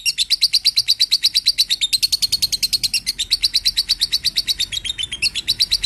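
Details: Lovebird singing, recorded for training other birds: a dense, continuous run of high, sharp chirps at an even quick pace, slightly dipping in pitch near the end.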